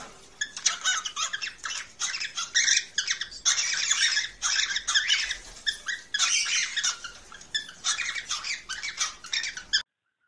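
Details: Cockatiel mating call, played to stimulate breeding: dense, harsh, broadband squawking in bursts with short gaps, filling almost the whole stretch before it stops abruptly near the end.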